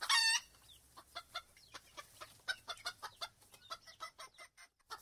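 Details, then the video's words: Chicken (Gallus gallus) giving a brief high harsh squawk at the start, then a steady run of short clucks, about two or three per second, fading and quickening slightly toward the end. "Chicken 2 (Gallus gallu)"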